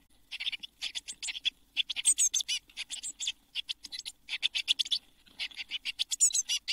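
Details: Eurasian blue tit chicks in a nest box, seven young fed by both parents, fledging at Midsummer on 24 June 2022: dense bursts of thin, high, scratchy chittering in quick clustered runs with brief pauses between.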